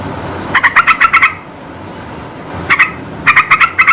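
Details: Two rapid bursts of bubbly, chortling notes from a yellow-vented bulbul, sung to stir reluctant birds into answering, the second burst split by a short gap; quiet low hum in the background.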